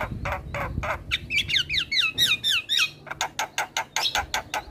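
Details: Javan myna song kept for tutoring young birds each morning: rasping notes, then a run of quick descending whistled slurs, followed by a rhythmic series of harsh buzzy chirps about five per second.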